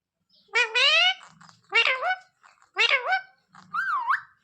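A parrot produces four short, harmonic-rich voice-like phrases about a second apart, the last one swooping up and down in pitch like human speech.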